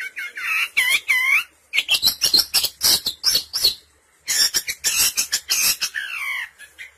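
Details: Long-tailed shrike lure call for trapping: curved whistled notes rising and falling, then bursts of harsh scratchy chatter in quick runs, a short pause, more chatter and a closing slurred downward whistle.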